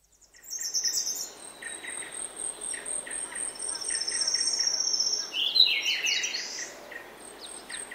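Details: Grey-backed thrush singing early in the morning in oak woodland; a loud, rich warbled phrase bursts out near the end, set against a busy chorus of thin high chirps from other birds and a steady high whine.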